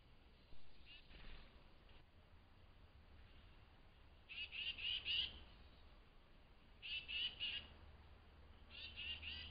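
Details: Tufted titmouse calling excitedly at dawn at a flying squirrel feeding station: quick, buzzy bursts of several high notes about two seconds apart over a low steady rumble.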